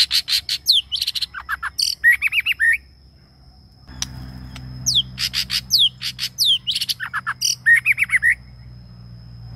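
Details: A one-year-old male white-rumped shama, after one moult and very energetic, sings a long, varied run of rich whistles, rising slurs and rapid chattering notes, restarting after a brief pause, with a low hum behind.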